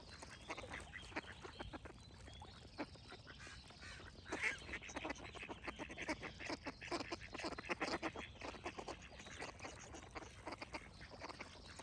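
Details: Several ducks quacking together in a dense, continuous chatter of short, harsh notes that overlap and build in the middle, with birds singing faintly behind.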